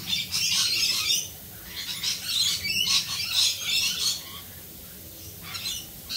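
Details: Australian rainbow lorikeets calling in the rain: dense, harsh high chattering and screeches in bursts, pausing near five seconds before resuming.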